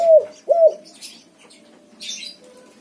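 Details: Spotted dove with white plumage, cooing to draw silent doves into singing: two short, husky coos half a second apart, then soft background with a brief burst of high chirping.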